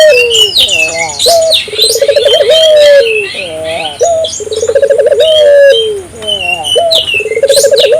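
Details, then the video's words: African collared dove in full voice, calling to set off other doves: three coos in a row, each a brief high note, a quick throbbing trill and a long falling note. High chirps from small birds sound throughout. "suara burung puter gacor,merangsang burung puter lokal ikut gacor"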